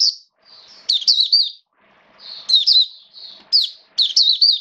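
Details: Hobby-kept Oriental white-eye (Mata Puteh) recorded 29 September 2022 in open song: thin sustained high notes lead into quick warbled flourishes, repeated roughly three times, with soft rustling between phrases.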